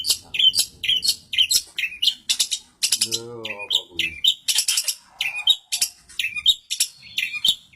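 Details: ['Long-tailed shrike in active full song, Samarinda: fast, high, scratchy notes repeated in rapid bursts with sharp chips, while a man talks briefly in the middle.']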